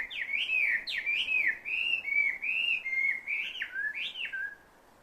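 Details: Unidentified bird with a call heard as "barbecue": loud slurred whistles, each dipping and rising, strung in a rapid varied phrase for about four seconds before falling silent.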